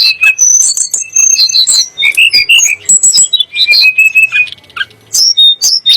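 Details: Sunda blue robin song, described as the rival of the Oriental magpie-robin and shama and used to agitate other birds; high, varied whistles and quick chattering notes in fast, dense phrases, with sweeping slurred whistles in between.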